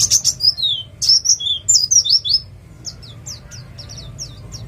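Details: White-eye of the East Java ngalas type, nembak song used to prompt other birds: loud high twittering slurs in the first half, then fainter, evenly spaced thin downslurred notes.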